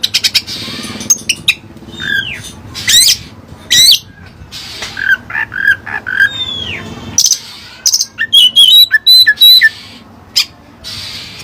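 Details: Oriental magpie-robin singing with learned Cililin song material: loud sharp whistles, rising and falling slurred notes and harsh buzzy bursts, delivered in irregular bursts with short pauses between them.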